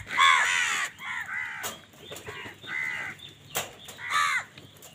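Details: House crows fighting other birds for food: a long drawn, harsh caw at the start, then softer broken caws and a sharp click, closing with another loud hoarse caw.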